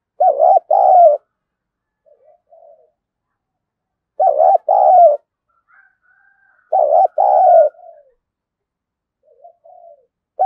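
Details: Caged decoy spotted dove singing the Thúc, Gù and gáy Gọi song styles. Three loud, low, husky coo phrases come a few seconds apart, each a short note then a longer coo, separated by soft murmured notes.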